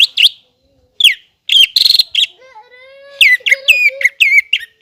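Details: Greater green leafbird (cucak ijo) in full, lively song, played as a tutor to prompt young birds to sing. Loud whistled, sharply slurred notes come in bursts with short pauses, some fast chattering. A faint, low, steady tone runs underneath.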